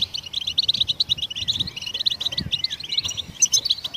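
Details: High, tinkling twitter of goldfinch chirps in quick clusters, with a few short sliding whistles in between, sung to encourage other songbirds to sing.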